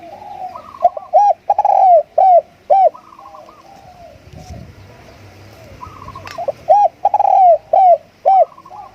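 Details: Spotted dove kept as a decoy singing two bursts of rhythmic arched coos, each with a drawn-out sliding note, separated by a quiet gap; a higher wavering note sits alongside.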